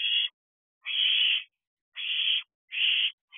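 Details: Owlets calling from a nest box shortly after midnight in July 2023: long rasping hisses, some over half a second, separated by irregular pauses of silence.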